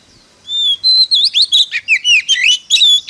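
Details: Oriental magpie-robin decoy bird singing competitively to lure wild birds: a long pure whistle, then a fast run of varied sweeping, warbling notes in short phrases, bright and loud, with no other sounds.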